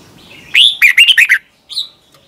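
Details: Red-whiskered bulbul, a Thai cage bird, singing a song played so young birds can learn it: a bright rising whistle, then four quick slurred warbled notes, and after a short pause one more thin whistled note.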